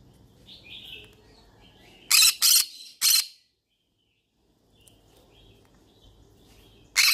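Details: Pet yellow-sided conure, a parrot, calling as if looking for friends to talk to: faint thin whistles, then three loud harsh broadband squawks in quick succession, a silent pause, soft chatter, and a final sharp squawk.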